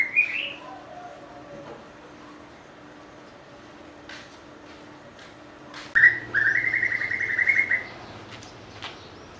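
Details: A White-rumped shama, noted for varied song and mimicry of other birds, opens with a short whistle, goes quiet, then delivers a rapid burst of fluttering whistled notes near the end, with a faint low hum throughout.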